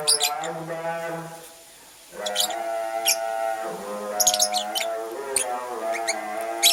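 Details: Purple female lovebird making a nest, giving sharp, scratchy high chirps in short clusters, some doubled, over a steady droning musical tone with layered harmonics that runs almost throughout.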